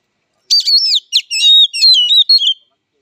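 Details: Oriental magpie-robin (kacer) fighting song: about two seconds of loud, rich phrases mixing sliding whistles with buzzy, chattering notes, delivered in quick bursts with short pauses.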